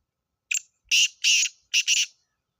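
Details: A recording of a black francolin calling, of the kind used when hunting. A sharp opening note is followed by two long rasping buzzes and a fast double note, all harsh and grating, against near silence.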